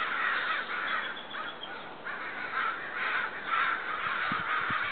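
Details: Sustained, loud cawing by agitated neighbourhood crows heard from a back deck: coarse caws in clustered bursts about twice a second, with a few soft low knocks near the end.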